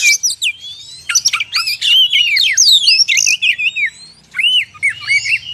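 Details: Oriental magpie-robin (kacer) lure song for drawing wild birds near: clear curling whistles and sharp downslurred notes in short bursts, with brief quieter gaps between phrases.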